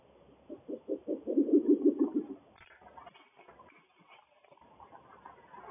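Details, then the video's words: Breeding pair of Spectacled Owls at Área de Conservación Guanacaste, Costa Rica, duetting: a low, rapid series of pulsed hoots, about eight to ten notes accelerating and swelling in loudness, then fading to quiet background. "Sepctacled Owl Duet"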